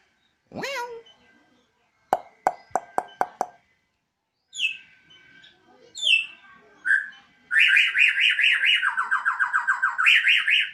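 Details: Pet Bornean White-rumped shama (murai odong-odong) kept at home, singing spiritedly on a terrace: a sweeping whistle, a quick ticking series, scattered short notes, then a long siren-like run of rapidly wavering, repeated high notes that steps downward.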